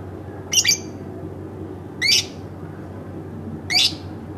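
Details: Domestic lovebird making three brief raspy squawks, each a quick doubled burst, separated by pauses of about one and a half seconds.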